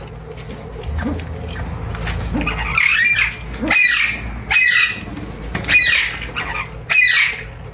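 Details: A newly acquired pet Alexandrine parakeet gives five harsh, raspy screeches, about one a second, over a low indoor hum.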